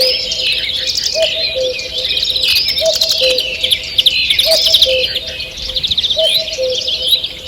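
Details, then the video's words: A morning woodland chorus recorded 2 June 2023: busy high twittering and rapid chirp series, with a low cooing phrase recurring steadily about every one and a half seconds throughout. "Утреннее пение птиц"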